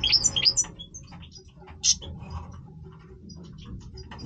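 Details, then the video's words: European goldfinch in breeding voice: a quick cluster of high, tinkling twittered notes in the first second, then only scattered faint chips over a low background rumble. "Stieglitz Major Breeding Voice - singing Goldfinch"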